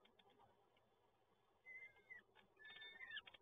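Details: Begging cries of peregrine falcon chicks being fed in Toruń, Poland, on 30 April 2022: after a quiet, hissy start, short thin wavering wails appear in the second half.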